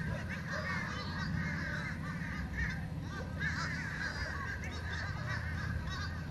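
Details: Several fish crows creating a ruckus, their short nasal caws overlapping into a constant clamor, some notes curving up and down, with steady low background noise throughout.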